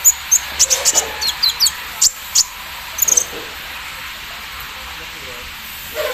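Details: Morning-dew session of a Javan sunbird (kolibri ninja): a quick series of thin, high chirps and doubled notes in the first half, then quiet hiss.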